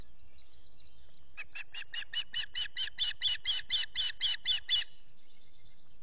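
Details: Osprey feeding chicks at a nest in New York's Finger Lakes, dawn of 14 June 2021, solar nest camera; after a quiet start, roughly fourteen loud, piercing chirps follow in quick rhythm, swelling in volume before stopping abruptly.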